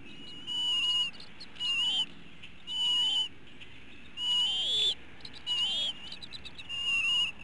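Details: At dinner time in a Hanover, Pennsylvania eagle nest on 5 April 2017, eaglets give about six high whistled calls, each rising then dipping, roughly one per second, with steady background hiss.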